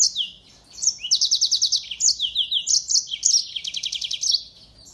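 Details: A yellow-fronted canary (Crithagra mozambica) in full song gives a fast, high run of sweet trills and buzzy rattles, with phrases sliding down and rising again without pause.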